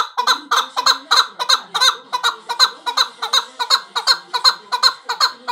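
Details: A male chukar partridge gives a fast, harsh clucking chatter, short broad notes repeated nearly three times a second in an even, rolling rhythm.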